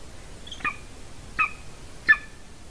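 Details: Female golden eagle at a nest in Latvia, picked up by a nest camera in the afternoon of 30 January 2019: three short, sharp yelping notes spaced under a second apart over faint background hiss.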